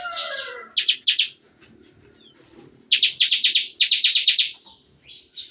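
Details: Bar-winged prinias kept in an aviary sing in the morning, a song compared to shooting. Short volleys of sharp, high repeated notes come in two bursts, then a longer rattling series. Faint low chatter fills the gaps.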